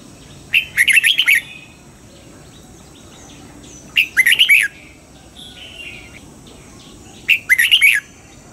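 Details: Red-whiskered bulbul being trained for morning double-note song in the wild style. Three bubbly phrases of fast, rising-and-falling whistles are spaced about three and a half seconds apart, with faint chirps in the gaps.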